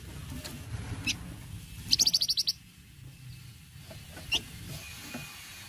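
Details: Cretetan song of a gacor flamboyan, a lure for raw birds: a lone high chip, then a fast run of about seven bright, high notes, followed by scattered single chips and a soft low hum.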